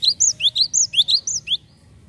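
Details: Lure recording of a Java sparrow meant to attract other birds: about ten crisp, high chirps alternating up-slurred and down-slurred notes in a quick, steady run lasting under two seconds.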